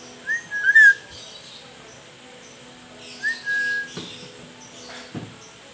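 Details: Black-capped lory, described as a smart bird that can talk: two short whistled notes, the first a quick rising-falling slur and the second a flat whistle about three seconds later, followed by a few soft knocks.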